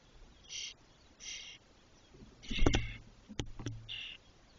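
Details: Fully feathered spotless starling nestlings, 21 to 22 days old, in a nest box in Doñana National Park, Spain. Four short, harsh, noisy bursts sound at irregular intervals, mixed with dull knocks and scraping as the young birds move inside.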